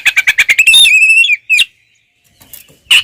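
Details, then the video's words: Oriental magpie-robin singing to provoke rivals: a quick series of about eight sharp repeated notes running into a long steady whistle, then a short squawk and silence before another harsh note. "SUARA BURUNG kacer gacor NGEPLONG TARUNG BUKA EKOR ini paling AMPUH buat PANCINGAN KACER agar EMOSI"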